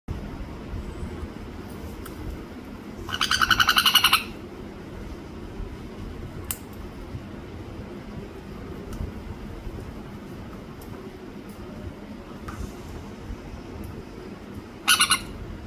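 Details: A sun conure, while eating a meal, gives two loud, harsh, raspy squawks, spaced far apart over a low background hum.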